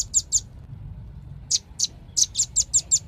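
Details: Velvet-fronted nuthatch giving two thin, high chips, then a pause of about a second, then a rapid string of around nine sharp notes, close and clear over quiet low hum.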